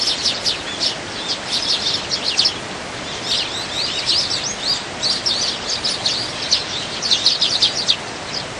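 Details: Winter flock of wild Eurasian tree sparrows, dozens strong, jostling for food: continuous crowded chirping, quick high cheeps tumbling over one another in waves, with a faint hiss of outdoor ambience underneath.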